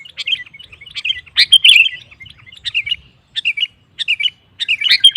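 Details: Sooty-headed bulbul singing to provoke rivals: short bubbly phrases of chirped notes separated by brief pauses.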